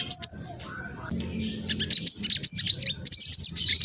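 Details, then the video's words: Mistletoebird, a juvenile still speckled, from East Java, Indonesia, giving a fast squeaky lure song to set off other birds. A short high note is followed by a pause, then quick bursts of shrill chirps. "PANCINGAN KING KONIN TROTOL AMPUH BUAT KING KONIN LAIN CEPAT BUNYI"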